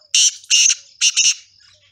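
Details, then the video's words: Male black francolin singing: four harsh, grating, rasping notes, two spaced apart then a quick double, loud and scratchy. "Black Partridge male singing"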